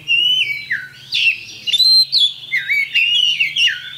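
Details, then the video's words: Oriental magpie-robin, a champion kacer, giving bait song to provoke fighting: clear, loud whistled phrases sliding down and up, repeated in short bursts about every half second, with a soft low hum. "LANSUNG TARUNG ! PANCINGAN KACER JUARA"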